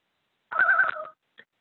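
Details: An adult Common Loon in the Adirondacks gives a brief quavering tremolo, a rapid, wavering laugh-like burst of about half a second, then a faint short note: an agitation distress call made beside its chick when a photographer came too close.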